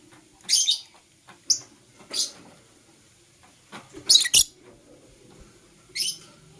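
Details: A green and blue Personata lovebird makes short, piercing chirps at irregular intervals in the morning, including a tight double squeak, over a quiet background.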